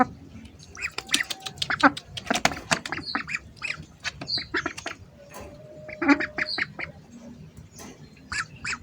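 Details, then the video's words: Hungry ducks heard up close, giving a busy run of short, harsh quacks and squawks in overlapping bursts, some with a nasal, buzzy edge, several birds calling at once. "hungry ducks making sounds"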